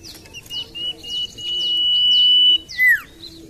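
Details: Lure recording of a Common iora: a single pure, high, steady whistle sustained for about a second and a half, followed by a loud, sharply falling slurred note, with faint high chirps in the background.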